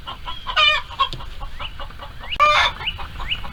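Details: Hens and roosters in a farm coop around egg laying: two loud, harsh squawks with short rising whistled notes between them, over low background clucking.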